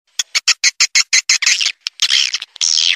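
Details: Swiftlet; lure call; luring swiftlets to roost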